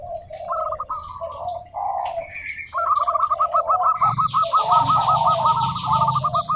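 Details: Local zebra doves singing to lure other doves: overlapping series of clipped, rapid cooing notes from several birds, with a harsh high buzzing noise joining after about four seconds.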